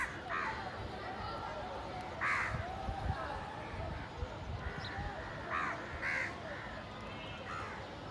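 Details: Village crows squabbling over food call loudly, harsh nasal caws spaced irregularly, some in quick pairs, against a constant murmur of outdoor noise.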